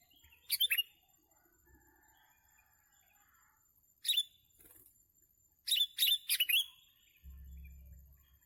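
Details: Sooty-headed bulbul at a bird-trapping session gives three separate bursts of sharp, squeaky chirps spread across several seconds. Faint low thumps are heard near the end.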